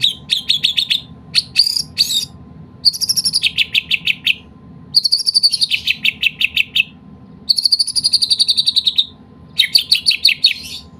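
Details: Medan white-rumped shama delivering its song rich in kapas tembak imitation: loud high phrases of rapidly repeated sharp chips and buzzy trills, several bursts separated by short pauses, with a constant low hum underneath.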